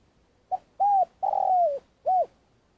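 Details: Spotted dove used as a lure bird for trapping, giving its long call: a short note then three cooing notes, the middle one long and slowly falling, in a quiet setting.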